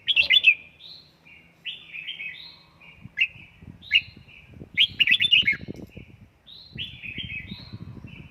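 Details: Home-trained red-whiskered bulbul sings in căng lửa style: loud, bright, warbled phrases of rising and falling whistles repeat every second or two, with soft rustling and thumps underneath.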